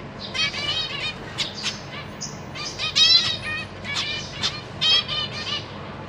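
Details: Zebra finch parents feeding fledglings and juveniles in a cage, April 2023. Busy overlapping chatter of bright, nasal, buzzy calls in irregular bursts, a short pure tone near the middle.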